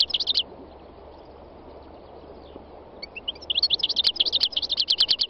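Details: A wild European goldfinch bursts into rapid tinkling twitters, pauses for about two seconds, adds a few light notes, then resumes a long fast trill of high, liquid, repeated chirps over low steady noise.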